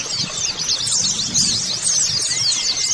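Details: Many white-eyes singing together in a colony recording meant to make birds open their beaks: busy, high-pitched zigzag twittering without pause, plus a thin faint steady whistle at times.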